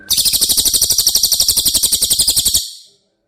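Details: Training audio for caged White-rumped shama with cililin song: a single intense high trill, roughly eight notes a second for two and a half seconds, buzzy and even, ending abruptly into silence.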